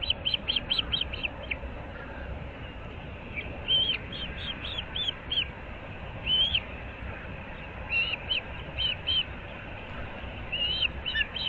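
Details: Osprey at the nest of a breeding pair in Moorings Park, Naples, Florida, early morning of 15 April 2024: bursts of high, sharp chirps in quick runs, separated by gaps, against constant low hiss.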